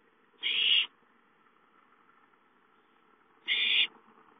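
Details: Owlet at home calling for food, 5-9-13: two loud, hissing, rasping screeches about three seconds apart over a faint low hum.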